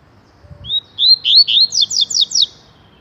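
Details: Rusty-collared seedeater in full tui-tui song, starting with a thin drawn-out whistle, then seven loud, evenly spaced down-slurred notes in quick succession.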